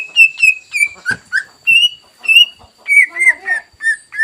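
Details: Greater green leafbird used to provoke a rival into singing: a rich sequence of clear whistles and slurred notes with an occasional click, shifting pitch from phrase to phrase at a lively, uneven pace.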